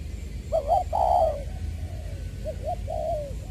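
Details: Spotted dove decoy bird from Long Đức, Trà Vinh, Vietnam, recorded 22 February 2021, its voice described as the standard "giọng tiểu" style: soft, mellow coos, a short double note then a longer drawn-out one, given twice over a low background hum.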